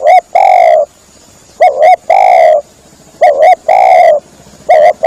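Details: Spotted dove lure call used to attract birds while hunting. A quick pair of clipped notes leads into a long, buzzy, slightly falling coo. The phrase comes about every one and a half seconds, heard three times.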